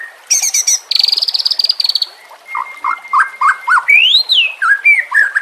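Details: White-rumped shama (murai batu) on a lure and training recording with trickling water: rapid rattling trills, a long flat whistle, a series of low warbled notes, then a smooth arching whistle and further slurred phrases.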